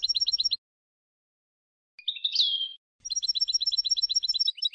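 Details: European goldfinch, Tunisian Sfax style for tutoring: a quick tinkling trill, a pause, a buzzy slurred rising-and-falling phrase, then a long fast run of repeated bright, high chiming notes.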